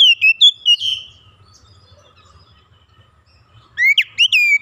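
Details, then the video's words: Oriental magpie-robin, a young bird singing freely, opens with quick whistled notes, falls quiet with faint low hum, then resumes with rising slurred whistles. "Kacer bahan langsung gacor bongkar isian"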